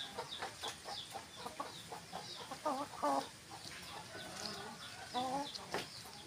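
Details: Domestic hens clucking repeatedly, short harmonic notes in bursts with some drawn-out cackling phrases, over steady background hiss and occasional distant bird chirps.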